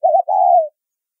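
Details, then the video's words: A single low-toned 'thúc rút bổi' phrase from a spotted dove, a call style used in bird trapping. It opens with a quick wavering double note, then a long, level coo that fades downward. "Tiếng Chim Cu Gáy Thúc Rút Bổi , Tông Còi Âm Quá Hay"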